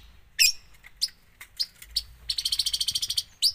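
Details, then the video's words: Long-tailed shrike singing 'full isian': isolated sharp high notes, then a quick even rattle of about a dozen rapid clicks, closing with one loud chip. "cendet gacor full isian"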